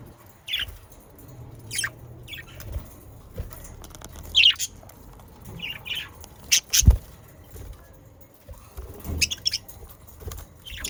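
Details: Budgerigars kept as pets near Den Haag, Netherlands, sounds intended to encourage pet parakeets to sing: sharp upward chirps and brief squawks spaced irregularly, with soft low rumbling and clicks in the background.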